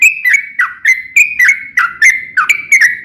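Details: Yellow-vented bulbul (trucukan) in lively 'gacor' form, singing a long rapid-fire 'ropel panjang' song used as a lure to set other bulbuls singing. Bright whistled notes near the same pitch come in quick, uneven succession with sharp clicky starts.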